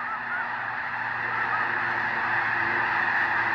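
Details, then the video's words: Snow geese at the Hayton Snow Goose Reserve in the Skagit Wildlife Area near Conway, Washington; a dense, steady chorus of many overlapping nasal honks forms an unbroken wall of sound. "Snow Geese"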